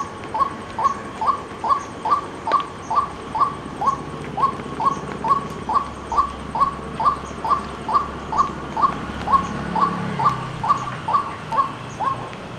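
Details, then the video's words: Persistent rhythmic calling of a white-breasted waterhen: brief hollow notes, each slightly rising, repeated steadily about twice a second for the whole stretch, over faint background hiss. "White-Breasted Waterhen Unique Sound"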